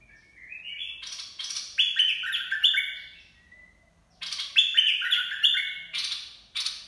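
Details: Bulbul cage-bird song in the 'dok taeng' style, meant for coaching young birds and luring birds: two separate bursts of clear, stepped whistles falling in pitch, roughly one burst every three seconds, with a quiet gap between.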